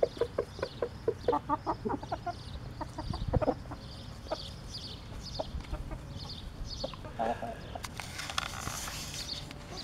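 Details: Rooster calling his hens to found food: a rapid burst of short clucking notes at the start, then scattered softer clucks and a louder cluck later, ending in a burst of broadband noise.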